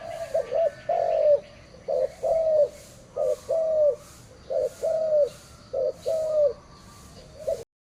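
A spotted dove coos low and soft: a short note and then a longer, slightly falling one, repeated about every one and a half seconds over a faint background hum.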